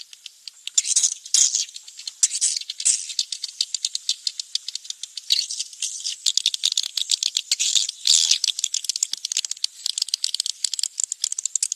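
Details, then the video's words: Swiftlet lure sound: swiftlets chatter in dense, rapid bursts of dry, high clicking chirps that rise and fall in waves with no pause throughout. "SUARA TARIK WALET"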